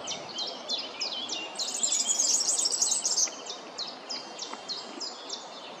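A European serin sings a very high, fast, jingling song of sizzling notes, about four per second, rising to a dense buzzy burst midway.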